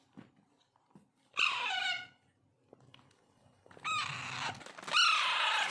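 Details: Alexandrine parakeet (Raw or Pahadi parrot) chicks begging while being hand-fed as hand-tamed pets: a loud, buzzy, grating cry of about half a second, a pause with faint taps, then a longer raspy cry that swells and continues for nearly two seconds.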